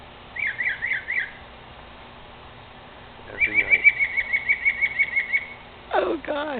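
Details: Northern mockingbird singing in a tree at night, making varied noises: a short set of rising-falling whistled notes, a long rapid run of repeated chipping notes, then steep downward-swooping whistles.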